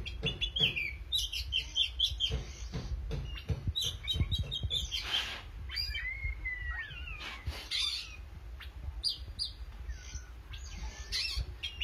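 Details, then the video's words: Oriental magpie-robin singing energetically: dense bursts of high chips and rattles, then looping, wavering whistles in the middle, followed by short bright phrases, with constant low background noise. "kacer gacor manteb banget"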